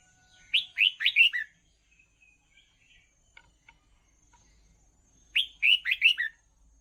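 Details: Song of a Red-whiskered bulbul for training young birds: a bubbly phrase of five rapid whistled notes, a pause with scattered soft ticks, then a near-identical phrase repeated.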